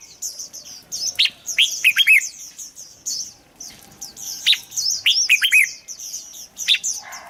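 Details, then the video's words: Song of a red-whiskered bulbul intended to prompt other birds to sing; bright fluty phrases of rising and falling whistles, repeated in several loud bursts over soft background chirping. "เสียงนกกรงหัวจุก สำหรับต่อ หรือ เปิดให้นกคึก เสียงเพราะๆ"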